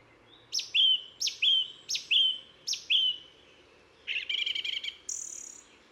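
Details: Song thrush singing on a hike in the Ossau valley, Pyrenees: a clear, slurred whistled phrase repeated four times, then a rapid buzzy, chattering rattle and a final high thin note, with faint background hiss.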